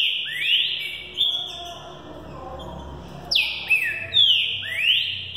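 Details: Young Green-winged saltator, a spirited bird being prepared for the 2018 season, sings its Thunder Truck style at over 20 phrases per minute: loud whistled notes sliding down from high to mid pitch, repeated in quick succession.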